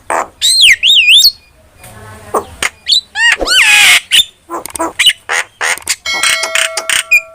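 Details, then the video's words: Starling singing for lure and master training: wavering warbled whistles, rasping chatter and bursts of clicks, ending with steady sustained pure tones. "PANCINGAN DAN MASTERAN BURUNG JALAK"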